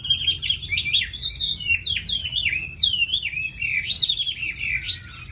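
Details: Chinese hwamei, tame and caged, singing a flowing series of clear whistled notes that rise and drop in wavy phrases, loud and unbroken.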